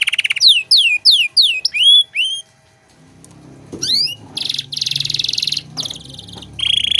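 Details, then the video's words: Canary singing in the rich, ornate song style used as a tutor recording for young songbirds: rising whistled sweeps repeated in a quick series, then a pause, buzzy trills and rapid rattling notes over low background noise. "Masteran Kenari Gacor Cengkok Mewah untuk Burung Bahan"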